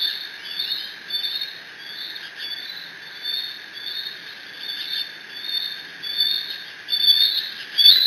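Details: Bald eagle eaglet in the Decorah nest, alone after its father delivers a fish on 30 June 2017, squeeing while mantling the catch: high, thin squealing notes in a steady stream, swelling and fading about once a second, growing louder toward the end.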